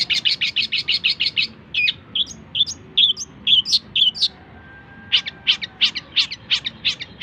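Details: Long-tailed shrike in a full tutor recording for training other songbirds: a fast run of about a dozen sharp, even chips, then scattered higher twittering notes, then another rapid series of bright chips.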